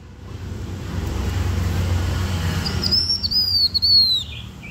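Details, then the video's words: Blue-winged minla singing as a lure: after a stretch of low rumbling noise, a series of high thin whistles repeated in quick succession, slightly descending, with a final rising note. "Khướu lục cánh xanh hót căng lửa kích mồi siêu chuẩn"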